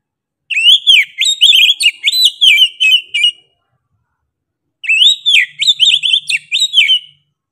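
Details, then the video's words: Oriental magpie-robin in vigorous, insistent, sharp-toned song: two bursts of rapid whistled phrases, each note sliding up and down, about eight notes per burst, separated by a pause of over a second, with no other sounds. "KACER GACOR NGOTOT PEDES SUARA NYA GA DA AMPOON"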